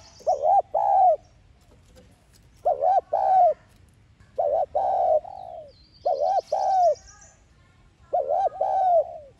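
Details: Spotted dove decoy call in the 'thúc gù' style, used as a lure to stir captive doves into calling. Five low cooing phrases, each a pair of throaty notes, come about every two seconds. A brief high rising buzz is heard near the middle.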